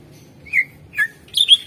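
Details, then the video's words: Greater green leafbird lure song meant to set other birds singing: three separate notes, a slurred whistle, a lower buzzy downslide, then a high bright chirping whistle. "Suara Pancingan CuCak Ijo / Murai Ijo Gacor Ampuh Bangat Burung Pancing Burung Yang Macet Suara"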